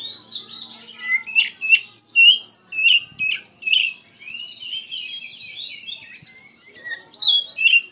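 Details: Kacer, or Oriental magpie-robin, singing gacor style over eight seconds: dense mix of sweeping whistles, short chirps and buzzy phrases, near-continuous with a quieter stretch midway.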